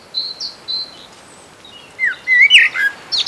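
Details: A Common blackbird on Sotra island west of Bergen, Norway, in early spring, foraging on the ground, gives barely audible quiet song: thin high whistles, then varied chuckling and twittering; Great Tit, European Robin and Greenfinch sing behind.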